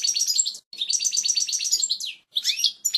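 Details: European goldfinch song, pure native phrases for chicks to learn: fast liquid twittering with repeated chirps, a falling slurred note, short breaks, then lively tinkling phrases.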